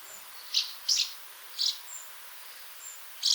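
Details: House Martin call: brief, bright high chirps repeated irregularly about twice a second, with a constant hissing noise behind.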